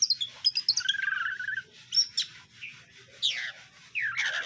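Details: Caged greater green leafbirds, male and female, being paired to get along; quick clicking chirps lead into a wavering whistle, then descending slurred notes and rasping bursts, with a soft hum behind.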